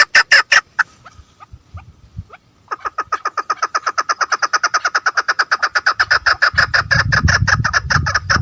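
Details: Female chukar partridge starting with a few loud notes, a short lull, then a long rapid train of repeated chuck notes; low rumbling background noise joins toward the end.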